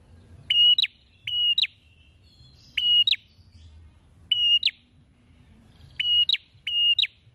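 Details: Prenjak (prinia) singing persistently, beak open wide. Six loud phrases of a level whistle ending in a quick upward snap, mostly paired and spread over several seconds, with a soft high trill and low background hum.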